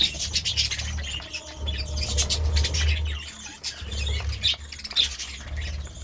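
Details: Budgerigar morning chirping with intermittent squeaky chirps and clicks in uneven bursts, partly masked by a heavy low hum.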